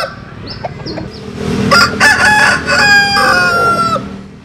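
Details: Crowing of a cockerel from a Vietnamese and American Sil chicken collection: a long, wavering, harmonic crow rises out of steady background hum and other distant fowl.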